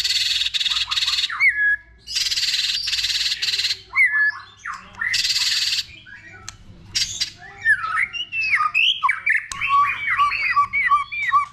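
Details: Shama (white-rumped shama) singing in many voices to rouse other birds: several loud harsh rasping blocks, then a lively run of quick varied whistled notes jumping up and down.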